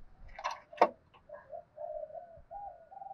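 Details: Spotted dove with a 'thổ sấm' voice gives a provoking fight-urging coo: a sharp click, then a series of soft, low, wavering hummed notes running to the end.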